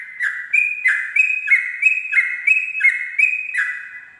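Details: Dawn ropel song of a Sooty-headed bulbul, a regular chain of liquid two-pitch whistles, each high note sliding down to a lower one, about three per second, ending with a fading tail.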